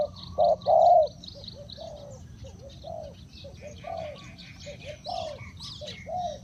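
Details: Spotted dove used as a decoy calling to lure wild doves; soft, hollow cooing phrases of short and drawn-out notes, with chirping from other small birds and a steady low background hum.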